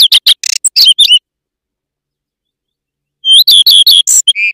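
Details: Common redstart (Phoenicurus phoenicurus), song.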